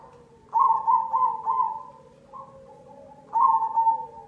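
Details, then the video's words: Zebra dove of the black cemani variety, singing as a lure to prompt other doves. Mellow, hollow coos form a stuttering run of about five notes, then a pause, a short soft note and another quick rolling phrase. "Pancingan perkutut cemani"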